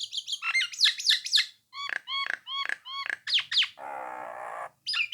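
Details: Nias hill myna singing steadily to prompt rival birds to answer; high sharp falling notes, then a string of five repeated rising whistles, more piercing notes, and a long nasal wheezy sound before a final chirp.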